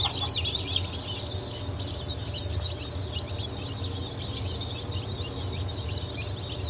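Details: Fresh hatch of Legbar, Silver Wyandotte, Sussex and GSG Wyandotte chicks, 28 June 2023; many thin, high cheeping notes run together continuously above a constant low droning hum.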